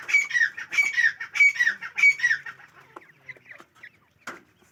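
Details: Grey francolin giving four loud, ringing calls with a bright whistled note sliding down, repeated roughly every two-thirds of a second, then fading into faint scattered notes and a final sharp sound.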